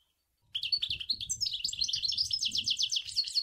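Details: Goldfinch song of the Sour El Gouzlane style, a continuous high tinkling warble that speeds into rapid rattling trills of repeated notes, with soft low thumps in the background.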